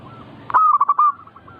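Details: Perkutut, or zebra dove, giving one manggung song phrase: an abrupt start followed by four quick rolling cooing pulses at a steady pitch, faint coos trailing after.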